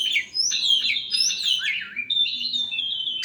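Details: Oriental magpie-robin singing after being sunbathed: loud, varied high whistles and slurred notes, some sweeping down sharply and others held steady and bright, delivered in a rapid, continuous phrase.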